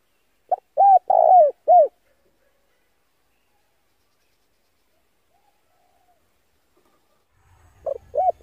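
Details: Male spotted dove lure call: one full mellow phrase of clipped note, coo, long rolling coo and final coo, then a long silence. A second phrase begins over a low rumble near the end.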